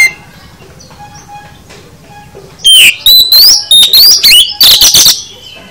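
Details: After nearly three seconds of soft, faint notes, a kacer (oriental magpie-robin) breaks into loud full isian song, a quick sequence of rising whistles and sharp chipping notes lasting about three seconds.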